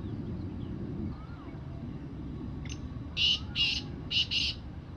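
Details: Black francolin, a wild bird, giving a rasping call of four coarse, clipped notes near the end, the last two closely paired, after a quiet stretch of low background hum.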